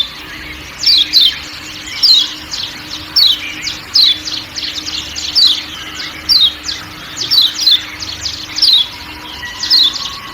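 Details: Steady series of high, sliding 'ciak' chirps from a Lombok kecial kuning white-eye, sometimes in pairs, roughly every second, over forest ambience and a low hum.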